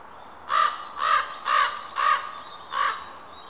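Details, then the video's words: Wild common ravens gathered on a larch outside Krasnoyarsk, Russia, May 2013: five rough, grating caws in a steady series about half a second apart, the last after a short pause, with little else audible. "Встреча воронов на лиственнице."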